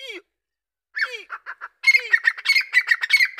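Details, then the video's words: Grey francolin of the Dakni (Deccani) type calling: after a few scattered squeaky notes, a fast run of harsh, ringing notes at a steady mid pitch, repeated several times a second. Other thin chirps are heard in the background. "دکنی تیترکی آواز"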